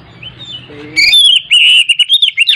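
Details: Oriental magpie-robin song meant to stir a silent bird into singing: after a quiet start, a sudden run of sharp, high whistled notes wavering up and down in quick succession.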